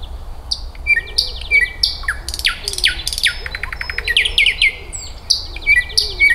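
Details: A nightingale in an eco park in May 2024 sings a rich, varied song of loud whistles, rapid rattling trills and sharp chirps, phrases changing every second or so over a faint low hum.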